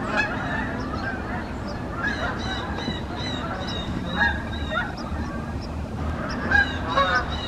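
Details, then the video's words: Wild Canada geese honking steadily while flying on a morning in the USA, many birds calling at once with harsh, nasal, slightly rising honks and a constant low background drone. "Canada Wild Geese flying in the morning - USA"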